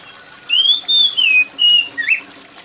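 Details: Loud, high-pitched song of an oriental magpie-robin, with rainwater dripping behind it. A run of four clear whistles: a rising slur, a level note, a falling slur and a short upturned note.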